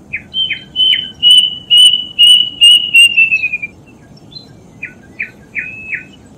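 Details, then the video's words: A plaintive cuckoo, played to coax caged birds into singing, gives a run of steady whistles that slurs downward and fades, followed by a few short, quieter notes on a faint low background hum. "Burung Kedasih bakal buka paruh dan gacor"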